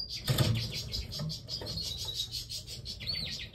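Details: A canary from a yellow canary and red mosaic pair chirps in a quick, high series of short notes, about four a second, ending in a brief rising whistle, over a low indoor hum and a knock.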